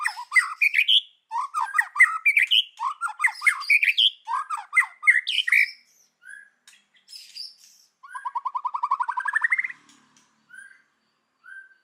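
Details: White-rumped shama in forest-style song: rapid rising whistled phrases in quick bursts, then a trilled rising run of notes and a few short soft whistles.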